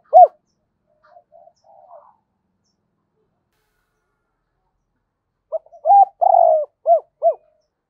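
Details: Spotted dove used as a decoy to call in wild birds: a single low coo, a few faint murmurs, a long pause, then a full phrase of short arched coos around a drawn-out wavering falling note.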